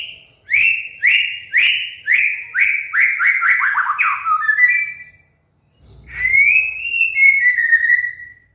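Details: White-rumped shama training song for cage birds in moult: a steady series of bright downslurred whistles, speeding into a falling trill. After a pause comes a long rising then falling whistled phrase.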